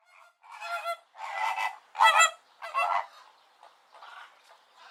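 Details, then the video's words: Flamingos, possibly greater or American flamingo, give harsh, nasal, goose-like honks in a ragged series of about five half-second bursts, with fainter calls trailing behind. "Greater flamingo and American flamingo | flamingo Video & Sound Effect"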